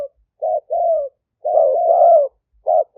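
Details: Spotted dove, an aggressive liu tan type decoy bird, recorded in Khok Lam, Roi Et, Thailand, for luring wild doves. Short coos, then a long drawn-out warbling coo of nearly a second, then clipped notes resume; otherwise quiet.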